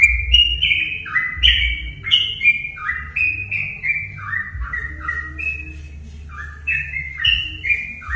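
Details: Sooty-headed bulbul song used to provoke other bulbuls to sing: continuous, lively whistled phrases, each a bright note sliding downward, repeated about three times a second, over a steady low rumbling hum.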